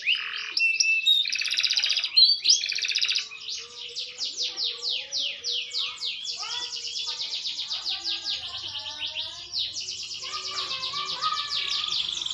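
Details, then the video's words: Green canary, maturing and improving its singing, delivers a long varied song: dense buzzy trills, rapid repeated chips and lower warbled phrases flowing together without pause. "burung kenari hijau makin dewasa wakin baik kicauan nya"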